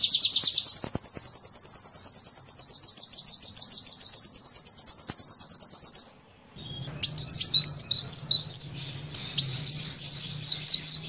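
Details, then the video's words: Sunbird song recorded to tutor songbirds: a steady, very fast high trill held for about six seconds, then lively twittering phrases in two bursts over a low hum. "Masteran burung Kolibri"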